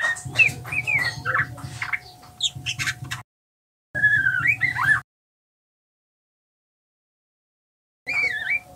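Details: Juvenile male white-rumped shama practising its 'ngeriwik' song: a jumbled run of squeaky chirps and wavering whistled slides, then two shorter bursts after long silent gaps, with a constant low hum beneath.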